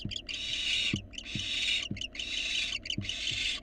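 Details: Fledgling barn owl, wild, in its nest box as food arrives: three long, drawn-out rasping hisses, each close to a second, separated by short gaps with faint tapping.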